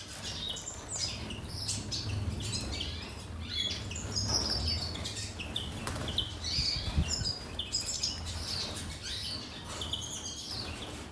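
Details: Breeder-kept European siskin feeding on worms in Gozo, Malta: scattered high twittering chirps and brief whistled notes over constant low rumbling background, with occasional fluttering and rustling.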